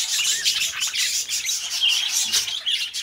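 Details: Pet budgerigars, a pair of companion birds, give continuous busy chirping and squeaky warbles, rapid notes tumbling over each other with no pause for the whole stretch.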